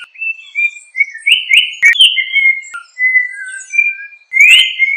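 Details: Yellow-backed Oriole (Icterus chrysater) song: a leisurely series of clear, mellow whistles, some held steady, some rising or sliding down, with a few sharp clicks between phrases and a loud upward-swept whistle at the end.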